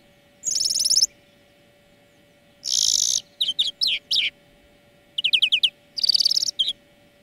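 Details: Greenfinch song used as a lesson for training birds, with harsh buzzy bursts followed by rapid series of ringing, descending chirped trills, all against a constant low hum.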